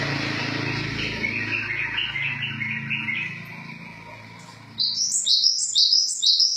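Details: Java sparrow song: a run of quick, repeated mid-pitched chirps gives way to a brief quiet gap, then a brighter series of sharp, high, clipped notes in fast succession over a low background hum.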